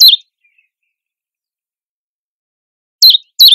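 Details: A Common Chiffchaff in a nettle wood gives sharp, high, downslurred notes: a single note, a pause of nearly three seconds, then two more in quick succession.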